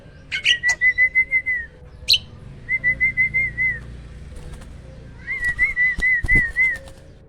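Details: A hybrid myna from a bird farm singing loudly: quick rolling series of whistled notes, about six per second, broken by sharp clicks and a high squeak, repeated in three bouts.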